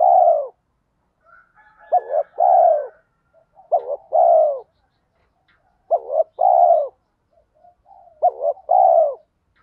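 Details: Spotted dove lure call, thổ pha thúc style, male and female birds, meant to set wild males cooing: rapid series of four to five two-part coos, each a short rising note and a longer descending croo, soft notes between.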